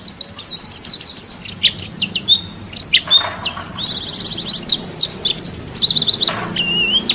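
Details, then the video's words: White-eye (pleci) of national-champion class singing masteran for songbird training. Quick high chirps and thin whistles mix with a harsh buzzy rattle and a rough noisy burst, then end in looping whistled slurs. "Masteran wajib pleci juara nasional"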